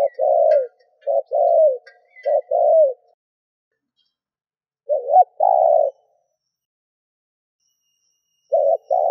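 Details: Spotted dove used as a lure for wild doves, cooing in a quick series of short and long hoots, then pausing before single paired coos, with faint twittering behind.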